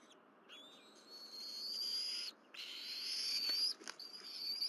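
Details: Bald eagles on the Berry College nest, morning of 12 April 2023, with the mother delivering fish and three birds feeding: long, drawn-out, high whining whistles that rise and waver, broken by brief pauses and a few clicks.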